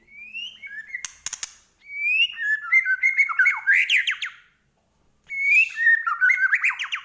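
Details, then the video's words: Medan white-rumped shama singing chatty full-isian song. Loose whistles and sharp clicks, then a long run of quick, varied slurred phrases, a short silence, and another whistled burst. "Murai Batu Medan Gacor Full Isian"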